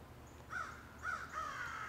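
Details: Crow calling in woods: three harsh caws in quick succession, the last one longer and stretched out, over a quiet low background hum.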